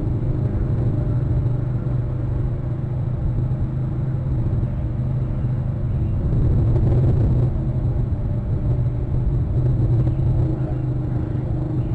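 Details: A steady, deep engine rumble from road traffic fills the recording, with no animal voice audible.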